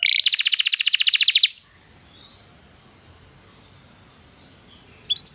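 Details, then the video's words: Canary song meant to encourage a canary to sing: a fast, even trill of high buzzy notes lasting about a second and a half, then near silence with faint background, and a brief new burst at the end. "Seu canário não soa? toque imediatamente esta espetacular canção do canário"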